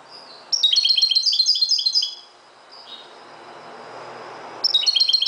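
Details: Dawn song of a Moroccan goldfinch: a rapid, liquid run of tinkling high notes lasting over a second, a thin whistled note, quiet, then another twittering burst begins.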